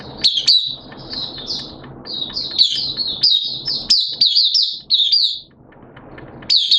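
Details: Oriental white-eye (Mata Puteh), a hobby cage bird, singing its 'buka sing' opening song on 11 September 2022 amid wet, erratic weather: a loud, dense, high twittering stream of quick slurred notes, one brief pause before resuming.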